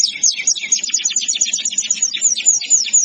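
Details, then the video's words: Canary masteran song: a dense burst of very high, quick, chattering notes and slurred trills, continuous across three seconds, with faint low background noise. "Canary singing | Masteran Kenari"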